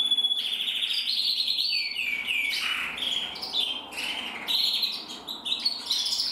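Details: A red-black intensive and a red-black frosted male canary singing jointly: a bright rolling trill, then a series of swooping down-slurred notes, then choppy high twitters and repeated short phrases.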